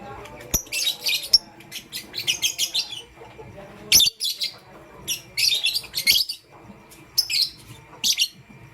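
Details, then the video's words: Pastel grey and green lovebirds chatter in the morning with a lively stream of harsh, high chirps in rapid bursts. The chirps come almost continuously, with one sharp click near the start. "Pastel Gray LoveBird Chirping Sound"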